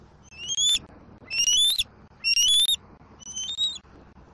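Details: Juvenile bald eagle squeeing at its mother perched in a treetop, in the afternoon at a nest in Southwest Florida near a busy road; four high, thin, rising squealing calls with upward-sliding harmonics, each under half a second, about one per second.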